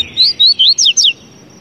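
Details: Short song of a Double-collared seedeater: five quick, piercing whistles in under a second, first notes rising, final ones dropping steeply, with a faint steady high tone behind.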